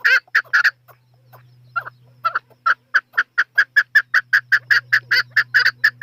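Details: Chukar partridge calling: a few scattered notes, then a steady train of sharp chuck notes, about three per second, growing even and insistent, over a faint low hum.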